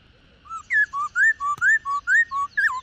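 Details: Wild-caught female black-throated laughingthrush, whose voice rouses males to sing, giving a clear whistled phrase of about nine notes alternating low and higher pitches, each short and fluted.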